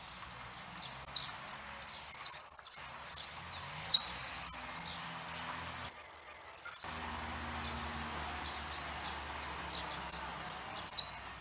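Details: Saffron finch singing a run of very high, sharp twittering notes in quick phrases, with a fast buzzy trill near the middle, then a few seconds of quiet before the chattering song starts again.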